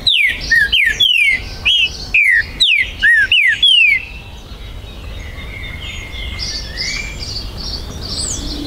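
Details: Territorial song of a captive green-winged saltator at a breeder's premises in Brazil, 19 September 2020: a rapid run of about eight sharp, downslurred whistles over four seconds, then softer distant bird notes.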